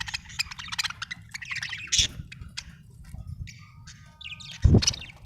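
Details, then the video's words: Happy budgie chirps in a quick scratchy twitter with a few clear whistled notes, interrupted by two sharp low thumps, faint hum underneath. "Happy budgie chirping sound"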